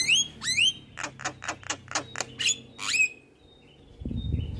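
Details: Javan myna (jalak kebo) in a busy 'gacor' master song with fill phrases, played for other birds to learn: sharply rising whistles, a steady run of harsh notes about two per second, another rising whistle, a pause, then a low thump.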